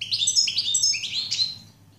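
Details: Brief phrase of European goldfinch song: liquid, twittering notes rising and falling, ending in a higher ringing note that fades out.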